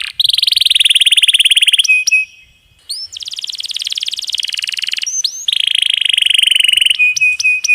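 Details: Canary tutor song with long rolls, water trickle effect added: two long buzzy rolling trills of nearly two seconds each with thin high overtones, separated by a short silence, then sharp chipping notes and another sustained roll.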